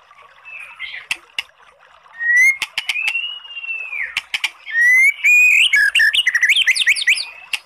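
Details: White-rumped shama used as a lure to trigger singing in a bird that has gone quiet; soft notes at first, then a long pure whistle, loud clicks, and a fast twisting warbled phrase of upswept whistles.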